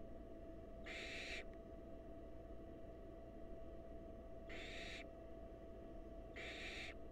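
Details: Wild barn owl family at a research nest box, the female feeding a mouse from the male to a nestling. Three separate breathy hissing screeches sound over a constant electrical hum.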